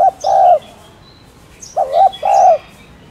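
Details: Hollow coos of a spotted dove: a sustained note opens, then after a pause a short dipping note and a longer steady one follow. Light high chirps from small birds are heard behind.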